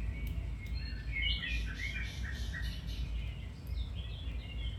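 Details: Domestic canary song used as training to improve a canary's singing: a lively run of chirped and warbled notes, loudest early, fading into softer twitters above a low hum.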